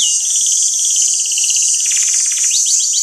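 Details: Canary training song by five birds: a sustained fine rolling trill held steady, then a burst of rapid buzzy pulses and quick downward slurs over a continuous high shimmer.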